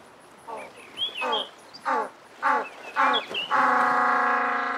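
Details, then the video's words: African penguin, the only penguin nesting in Africa, braying: a rhythmic series of short rasping gasps roughly every half second leading into a sustained loud nasal bray, with faint high whistles and chirps of other birds behind. "Jackass Penguin Sound Call Noise - African Penguin Sound Call - Cape Penguin Sound Call Sound"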